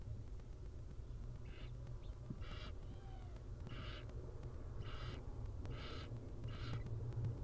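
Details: Wild barn owl with her tiny chicks: a series of five short, harsh, hissing rasps spaced about a second apart, over a steady low hum.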